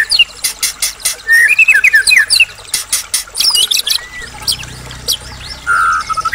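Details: White-rumped shama of the Medan type, a caged, well-conditioned singer used as a lure to provoke other shamas into answering, delivering a varied song of whistled slurs, rapid clicking bursts and harsh buzzy notes, with a sustained whistle near the end.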